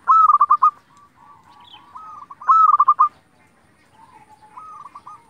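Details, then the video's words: Local zebra dove in active song used to make other zebra doves sing: two loud phrases of a clear high coo with a rapid run of clipped notes, linked by quieter trailing coos and a softer closing phrase. "pancingan perkutut lokal gacor hitungan detik saja langsung nyaut"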